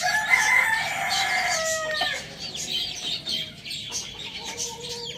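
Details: Pet rooster kept alongside hens, chicks and budgies gives a loud, drawn-out harmonic crow lasting about two seconds and ending on a falling note, then fainter long notes, over constant high twittering chatter of budgies.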